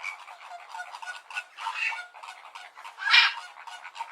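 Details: Flamingos calling together, a dense flock chorus of nasal honking and gabbling notes, overlapping throughout, with one louder harsh honk near the end.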